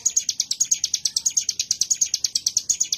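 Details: Ciblek gunung (mountain prinia) bren song: about eight sharp, high, slightly buzzy notes per second, each rising and fading, in a steady run.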